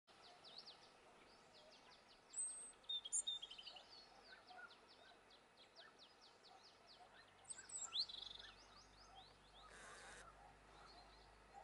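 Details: A European robin (Erithacus rubecula) in Moya, Gran Canaria, in February 2020 gives two brief phrases of thin, high, sweeping notes a few seconds apart, over a dense bed of soft, rapid ticking and hiss.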